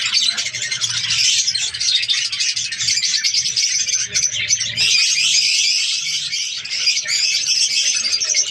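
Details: Budgerigars in a breeding colony, many birds chattering at once: a dense, continuous wash of high chirps, squeaks and warbling twitters with no pauses, steady throughout.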